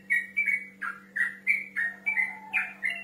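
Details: Male yellow-vented bulbul singing to challenge a rival: a short burst of rich, gurgling whistled phrases in uneven groups, some notes dipping lower, with a constant faint hum behind.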